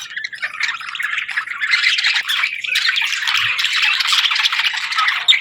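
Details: Afternoon chatter of budgies: soft chirping swells into a constant, lively jumble of squeaky whistles and buzzy trills.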